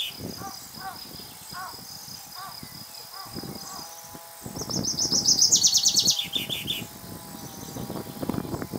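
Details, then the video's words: Common chaffinch male replying to a second singing male: quiet opening with soft, short lower chirps repeated about once a second, then a loud, rapid, high trill tumbling downward into a brief ending flourish lasting around two seconds. "CANTO DEL PINZÓN VULGAR"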